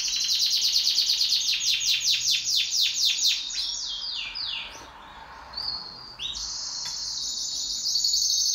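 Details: Pet canary duet singing with a loud run of repeated downward-sweeping chirps, a softer gap, then a bright continuous high trill to the end.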